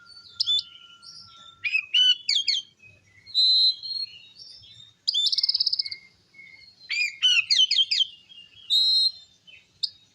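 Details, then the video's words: Oriental magpie-robin in vigorous song aimed at provoking other magpie-robins: bursts of fast falling whistled notes alternate with long buzzy trills and sustained clear tones. "Suara Kacer Gacor Ngeplong Ampuh Memancing Emosi Kacer Lain - Pancingan Kacer Bahan"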